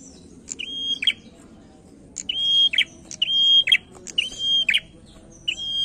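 A male prinia sings loud, high phrases, each a sharp chip followed by a steady whistled note, repeated about every second and a half over a faint low hum.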